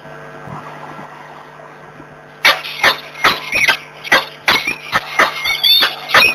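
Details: Peregrine falcons in Włocławek, 26 February 2023, morning: after two quiet seconds with background hum, a burst of loud, scratchy, chattering calls follows in quick succession.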